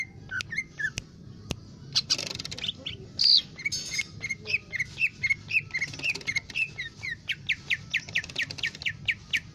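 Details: Lesser green leafbird (cucak ijo mini) singing energetically, used for song tutoring: irregular ticks and chirps build into a steady string of short downslurred whistles, speeding to a rapid regular series near the end, over low steady background rumble.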